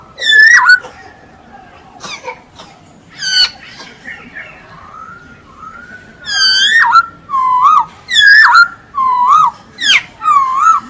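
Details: Masked laughingthrush singing actively: scattered sharp whistles and a soft rising phrase, then a loud sequence of wavering, bubbling whistled notes repeated about once a second.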